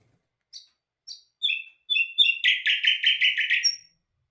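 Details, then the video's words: Common nightingale (bulbul hazar dastan) singing two thin high notes, then clear whistles, then a fast rattling trill of about eight pulses, ending on a sharp high note. "Bul bul hazar dastan singing toons Bird"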